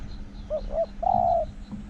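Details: Spotted dove used as a decoy-calling bird in forest, described as small-voiced with a resounding 'hong' coo. Two short rising notes, then one long, steady, hollow coo, against a faint hum.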